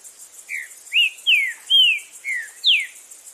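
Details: Wild green-winged saltator in strong song, a phrase of six sweet whistled slurs, most falling in pitch, delivered at a brisk uneven pace with a constant high-pitched insect drone behind.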